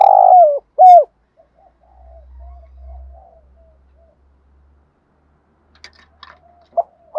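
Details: Decoy spotted dove calling to draw in wild doves in the morning: the loud tail of a cooing phrase with two falling notes, then quiet soft coos from afar, a low rumble, and one more coo at the end.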